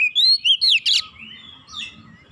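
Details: Oriental magpie-robin singing for training a young bird: clear rising whistles and a sharp tumbling flourish within one second, then thinner trailing notes over a faint low rumble.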